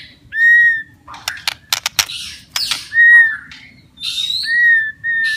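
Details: White-rumped shama song for stimulating stressed or silent shamas; long clear whistled notes alternating with sharp clicks and noisy rasps, over a low background hum.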